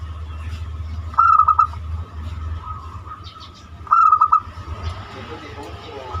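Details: Banyumili zebra dove song, used as a lure for other birds: two compact phrases of four or five staccato cooing notes, a few seconds apart, with a steady tone and low hum behind.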